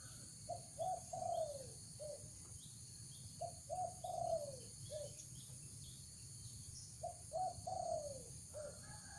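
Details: Spotted dove lure call for drawing in wild doves: soft, low coo phrases of three or four notes, the middle one longest and falling, repeated about every three seconds, faint beneath a steady electrical hum and hiss.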